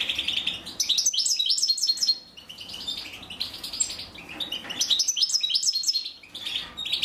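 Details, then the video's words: European goldfinch mother feeding her young; loud, rapid, buzzy twittering from the chicks in repeated bursts separated by brief quieter gaps. "أنثى الحسون وهي تطعم فراخها"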